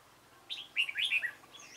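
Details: Dark-bibbed red-whiskered bulbul singing at a bulbul trap on 28 February 2017, a quick burst of liquid warbled notes, sliding and bubbling in a tight phrase under a second long, followed by a faint high thin note.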